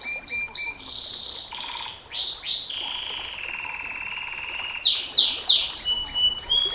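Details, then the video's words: Canary singing 'nembak panjang', a long song style used for tutoring and provoking other canaries: quick descending swoops, a short buzz, a long steady low whistle, then a series of sharp downward-slurred notes repeated about twice per second. "Suara KENARI NEMBAK PANJANG, Untuk Masteran Dan Pancingan KENARI SANG JUARA, Canary Sound"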